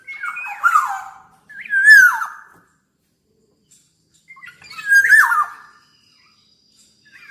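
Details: Black-naped oriole, described as a very active singer: three harsh, twangy calls, each dropping in pitch and buzzing with overtones, spread across several seconds with long silent pauses between.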